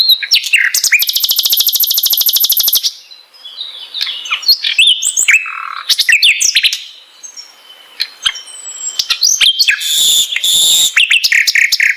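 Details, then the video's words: Flycatcher (sikatan londo) in a long varied song: a dense high buzzing trill for about two seconds, then mixed whistles, sharp chips and slurred notes, ending with another burst of rapid high buzzy notes. "beautiful voice singing !!! beragam jenia dan kicauan sikatan londo"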